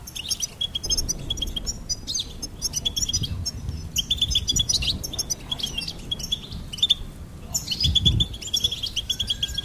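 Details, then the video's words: Goldfinch song: dense runs of high, liquid twittering and tinkling notes delivered in quick successive phrases, steady and bubbly throughout, over a low hum. "Goldfinch Singing and Song Compilation"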